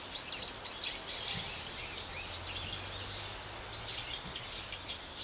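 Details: At Ginga no Mori in Sagamihara, Japan, starlings preying on a small lizard and flinging it against the ground give harsh, squeaky chirps in steady overlapping chatter, over a faint low engine-like hum.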